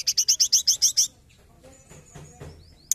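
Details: Forktail known locally as tledekan gunung, used as a trapping lure: a rapid run of eight sharp, high chipping notes, then near silence with faint low rumbling, and a final short high note.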